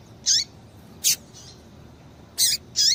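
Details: Female Double-collared seedeater calls intended to stimulate a male. Four short high chirps in two pairs, some with a descending tail, separated by a pause of over a second.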